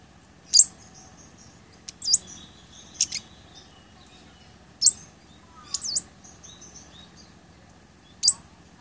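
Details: Blood-breasted flowerpecker calling, used to teach other songbirds and to lure birds: thin, piercing chips every one to two seconds, with brief slurred double notes between them, over a quiet background.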